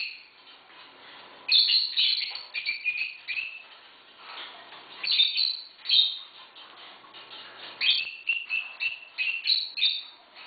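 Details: A female pet African grey parrot that lives with six dogs "barks" with short, harsh, bark-like bursts in uneven clusters, singly or in quick runs of three or four, between quieter pauses; recorded 8 August 2011.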